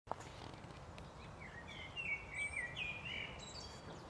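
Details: In Tivoli landscape park, Ljubljana, on 8 May 2023, a common blackbird sings a soft, fluty warbled phrase ending in thinner, higher twitters, fairly faint against a steady low rumble of background noise.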